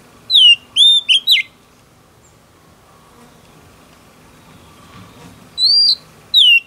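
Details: Female oriental magpie-robin singing to stimulate a male: a few loud clear whistled notes, some sliding downward, then a silent gap before two more separate whistles.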